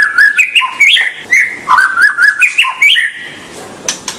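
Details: White-rumped shama song meant to prompt juvenile birds to sing: fast sequences of rich whistled, slurred notes rising and falling, repeated in two similar phrases, ending with sharp high clicks.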